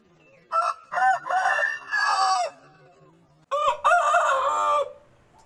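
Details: Aseel roosters crowing, one of several different roosters in a compilation: two loud, harmonic crows, each starting with short rising notes and running into a long, strained, wavering drawl, separated by about a second of near silence.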